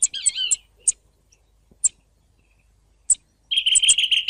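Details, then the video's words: Song thrush singing: a warbled opening phrase, then isolated sharp high clicks separated by pauses, ending in a dense burst of rapid repeated whistled notes. "دمج صوت السمنة المغردة 13 مع سك صوت سمنة مغردة 14"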